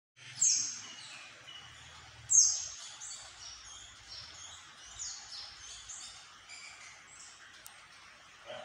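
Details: Caged orange-headed thrush singing actively in daylight: loud sharp high whistled phrases at the start and after two seconds, followed by softer varied warbling notes over a noisy background.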